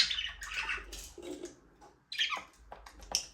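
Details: Budgies flying free in a small aviary give a busy run of raspy, warbling chirps, some harsh squawk-like notes and a short pause midway, with faint low rumble beneath.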